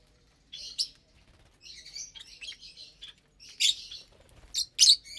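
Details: Captive lovebirds during a Saturday morning feed; short buzzy twittering bursts and a few sharp, loud high squeaks, irregularly spaced.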